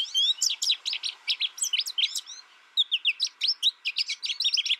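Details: American goldfinch reared in isolation with only a tutor recording, delivering fast high twittering and chirping phrases with quick slurred notes, a brief pause at mid-point, then a renewed twittering series over a low hum.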